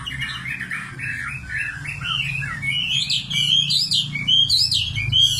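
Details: Nightingale song of warbling, twisting whistles that climb higher toward the end, over a constant low hum.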